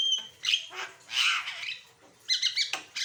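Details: Asian pied starling singing a varied song meant for training and prompting other birds: bursts of harsh, noisy notes broken by short gaps and brief whistles.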